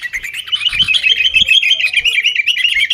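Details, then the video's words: Noisy sooty-headed bulbul chatter in fighting mode, used to coax caged birds into singing; continuous fast twittering with a few soft low thumps. "kutilang gacor TARUNG buat pancingan kutilang agar bunyi"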